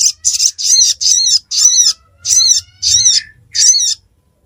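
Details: Steady series of eight high, scratchy, wavering chirps from a ruby-cheeked sunbird in Reului, Pidie, Aceh. The notes come roughly every half second, each slightly downslurred, over a quiet background.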